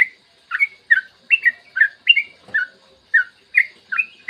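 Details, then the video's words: Yellow-vented bulbul in long rapid 'ropel' song, recorded in the morning as a lure to make other bulbuls sing: short bubbly chirps dipping and rising, about two a second after a brief opening note, with a pause near the middle. "PANCINGAN TRUCUKAN AGAR BUNYI burung TRUCUKAN GACOR ROPEL PANJANG"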